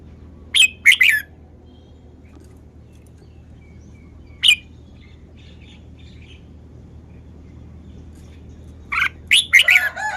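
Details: Caged Red-whiskered bulbul showing off its song style: short, loud, chirpy phrases in bursts near the start, once mid-clip, and a rapid cluster of three or four notes at the end, with quiet pauses between.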